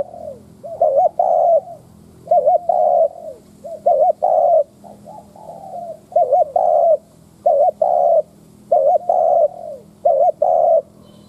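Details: Spotted dove used as a lure to provoke wild birds, cooing persistently: rapid series of wavering double notes each ending in a longer flat coo, almost continuous, interspersed with soft falling notes, faint hum behind.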